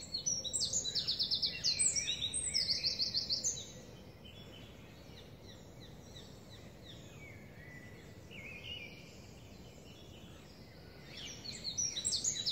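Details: Eurasian wren singing on 23 May 2019 in Parc de la Poudrerie, Seine-Saint-Denis, France: a shrill burst of fast trills and high twitters lasting over three seconds, a quiet gap with traffic-like hum, then the trilling returns near the end.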